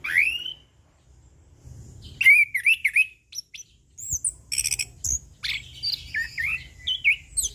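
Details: Orange-headed thrush (punglor) in easy continuous ngeplong song for training and luring: an opening rising whistle, then warbled whistled phrases, stuttered high notes and a string of short chirps, over faint low rumble.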